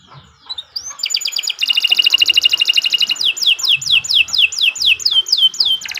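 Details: Long canary song used as a model for young birds: a soft rising whistle, a dense fast trill with paired pitch bands, then loud swooping descending notes repeated about twice a second.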